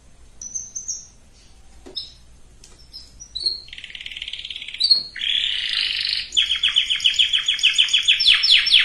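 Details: Canary song meant to prepare females and males for breeding. Scattered thin high notes open quietly, then buzzy phrases build into loud, rapid repeated sweeping trills.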